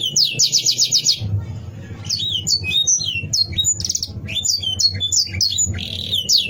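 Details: Canary singing to anger rivals: a brief buzzy rapid trill first, then a lively string of varied chirps and whistles, with a continuous low hum.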